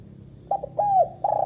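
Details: Female spotted dove (tekukur) calling: soft low coos, a short double note followed by a longer drawn-out coo and another steady coo, with a faint hum behind.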